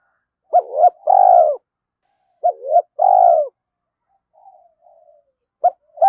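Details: Spotted dove calling at dawn to provoke a fight and lure another bird: paired quick coos ending in a long burry falling coo, repeated twice, with faint soft murmurs in between.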